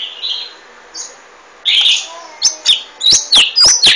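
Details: Golden-fronted leafbird: faint soft notes, then a loud chirping phrase and a series of sharp, clipped high notes at about four per second.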